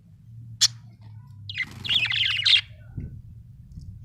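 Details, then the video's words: Budgerigar chirping contentedly: a sharp click, then a continuous run of buzzy, warbling chatter lasting about a second, against a low electrical hum. "happy budgie chirping sound"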